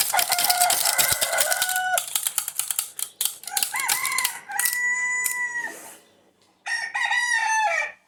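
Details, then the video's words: A rooster gives loud, harmonic crows, each a drawn-out strained cry of a second or two, with a fresh crow bursting in near the end. "rooster 🐓 making sound"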